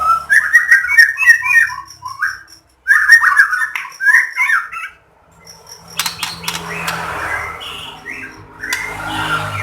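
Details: Song of a white-rumped shama, played to provoke other shamas to sing: two fast bursts of warbled whistles, then a quieter stretch of scratchy, noisy sounds with low background rumble.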